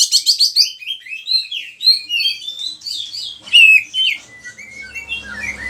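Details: Indonesian training recording of an oriental magpie-robin (kacer) singing: quick rattling trill at the start, then a flowing series of rising and falling whistles and slurred notes.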